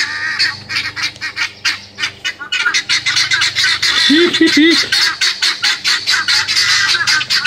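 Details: Guineafowl in a front yard, yelling at a dog, give a dense, harsh, rapid chattering of repeated squawks, more than two per second, with several birds overlapping. A man talks to the dog over the din.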